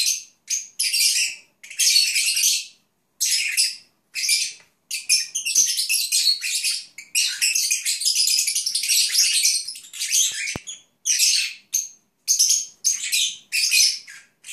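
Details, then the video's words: Pet lovebirds (Agapornis) calling while dozing: bursts of high, scratchy, twittering warbles broken by brief pauses of a second or less, in a quiet room; Lovebird. "Cennet Papağanı ( Agapornis Lovebirds ) Nap Song"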